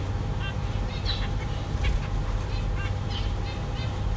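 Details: English zebra finch giving short, nasal, toy-trumpet notes spaced irregularly over a steady low rumble.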